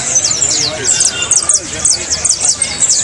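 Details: Saffron finches in song, used to coax a caged bird to sing: clipped, sharp high notes in quick bursts, several birds chirping at once.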